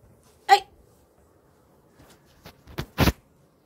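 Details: A female quail gives one sharp, squawking call just after laying her second egg, which her owner thinks was painful, followed by a few dull knocks and thumps nearby.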